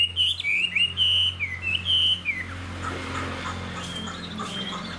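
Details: A caged Hwamei with a good voice and fanned tail sings a short phrase of loud, slurred, wavering whistles lasting about two seconds, then falls quiet against a droning hum.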